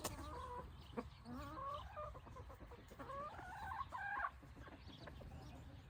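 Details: Hens and roosters scratching in golden evening light, roosters guarding the hens; soft, wavering clucks and short calls from several birds over a low background rumble.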